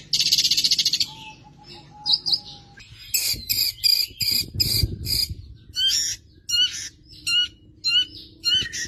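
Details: Cendet, or long-tailed shrike, singing a full mimicry-filled song. A buzzy trill opens into thin whistles. A series of sharp, separated chirps and scratchy notes then repeats roughly twice a second, over a low murmur.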